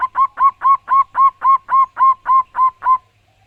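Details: Zebra dove (perkutut), a local wild-type bird in full voice with a loud, ringing song: a steady string of about eleven rounded cooing notes, evenly spaced, roughly three per second.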